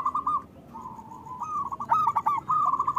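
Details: Zebra doves of a local strain singing to prompt other doves: soft purring trill notes building into a louder, rapid rolling phrase.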